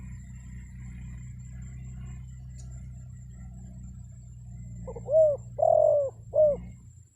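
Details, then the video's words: Decoy spotted dove calling to lure wild birds. Several seconds of low hum and faint rustle pass before one three-note coo near the end: short, long and short, soft and low-pitched. "SUARA PANGGILAN TEKUKUR PIKAT, BURUNG HUTAN PASTI NYAHUT"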